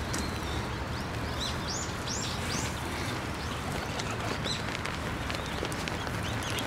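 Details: A group of sparrows coming close for food at a Tenmangu shrine, 15 December 2023: a quick run of high, arched chirps in the first three seconds, then scattered fainter notes against constant low rumbling noise.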